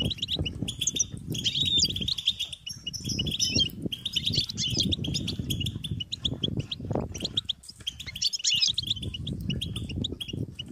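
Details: European goldfinch chicks begging to be fed, giving a steady, insistent chatter of shrill chirps and twitters over a recurring low rumble of background noise.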